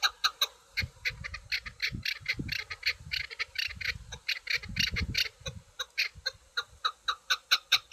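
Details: A chukar partridge gives a harsh, rhythmic series of loud clucking chuks, about three or four a second, with low thumps and rustling underneath.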